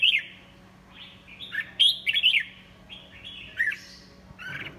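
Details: Red-whiskered bulbul singing in the 'pháo cối' style: several quick, bright warbled whistle phrases in a row, sliding up and down, with a low steady hum in the background.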